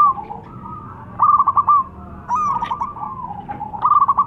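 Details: Local Zebra dove calling loudly to prompt a reply: bursts of rapid, stuttering coo notes separated by quieter steady tones, with a final quick staccato run.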